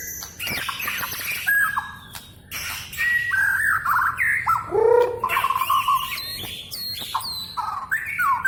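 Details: Magpie-robin (kacer) whose song is likened to speech, delivering a busy, irregular medley of squawky notes, quick down-slurred whistles and a lower warbled phrase midway, with brief pauses between bursts.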